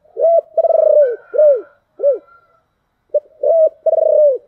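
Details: Spotted dove calling in the 'thổ đặc' voice to rouse decoy doves quickly. The full phrase has a flat coo, a pulsed stuttering coo and two arched falling coos. A short pause follows, then the same phrase starts again.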